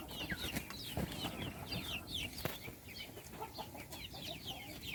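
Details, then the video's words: Many chicks at their meal chirp in a thick, uninterrupted chorus of shrill down-slurred peeps, with occasional sharp pecking taps and a soft knock. "صوت الدجاج // little chickens chirping SOUNDS"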